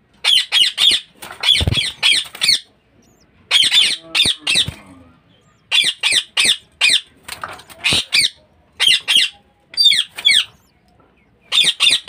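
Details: Budgerigar in a home cage breeding setup, giving harsh, loud squawks in quick bursts of three to five, separated by short pauses, with faint flapping and room noise between bursts.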